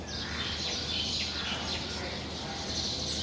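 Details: Weaver birds in the morning, flying in and out of their nests, giving a steady chatter of thin, high chirps that overlap continuously over a low hum of background noise.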